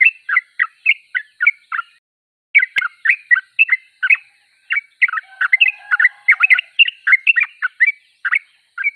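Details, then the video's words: Yellow-vented bulbul singing hard: evenly spaced chirped notes at first, then after a short pause a denser, overlapping warble of quick liquid notes with a faint low whistle underneath. "Trucuk termewah suaranya paling di cari"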